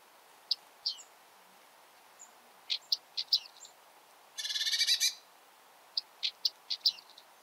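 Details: Bearded reedling in reed beds giving short, high, clear ping notes scattered through the clip, with one dense, buzzy, pulsed rattle lasting under a second near the middle.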